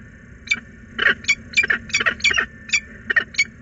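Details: Nest-box peregrine falcon, a female calling for her absent mate, Włocławek, 6 April 2022, afternoon; rapid series of harsh, rasping, partly overlapping calls in quick succession, several clustered together, over faint background hum.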